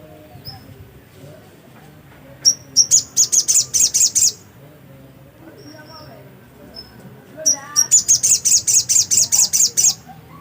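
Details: Black-capped white-eye in energetic song: two bursts of rapid, very high, sharp chirps, about nine to twelve notes each, separated by a few isolated thin whistled notes over a quiet background.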